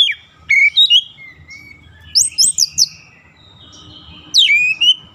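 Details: Oriental magpie-robin song from a daily practice meant to lengthen a fast rolling phrase: two quick whistled notes, a long quieter gliding whistle, a clustered trio of high sharp notes, then a loud swooping whistle near the end.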